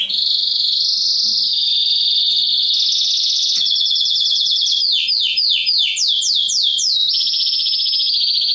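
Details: Mosaic canary song meant to excite hens to breed and instruct chicks: long sustained high rolling trill, then bright repeated down-slurred notes in quick succession, closing on another level buzzy roll.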